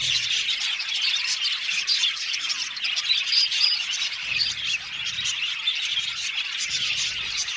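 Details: Aviary colony of roughly 70 budgerigar pairs: rapid, overlapping chirps several per second and scattered harsh squawks, a bright continuous chatter with faint low noise in places.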